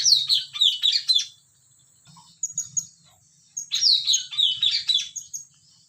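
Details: Sumatran hill myna delivering loud, complex bursts of jumbled whistles and rasping chatter in two main phrases separated by a short pause, over a faint low hum.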